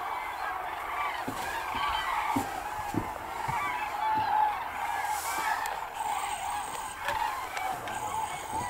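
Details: Migrating common cranes in Hungary, a flock giving many overlapping rolling, trumpeting calls throughout, some louder bursts, with occasional clicks and handling noise.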